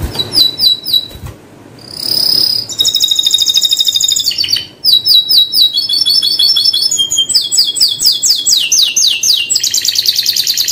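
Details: Canary (Burung Kenari) singing a long, varied song: rapid repeated trills and rolling whistled phrases, high and bright, shifting pitch every second or so with brief pauses, sounding close and loud indoors.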